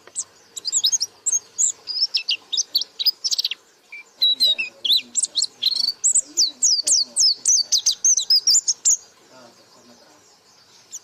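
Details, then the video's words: A white-eye (pleci) pours out a long chattering run of high, sharp chirps and slurs for roughly nine seconds, in the 'buka paruh' style, then falls quiet. "Burung Pleci Gacor Buka Paruh"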